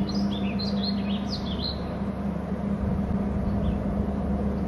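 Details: Bald eagle at a nest territory on Hornby Island: a quick burst of high piping, chirping notes in the first two seconds, then a lone squeak, against constant low wind roar.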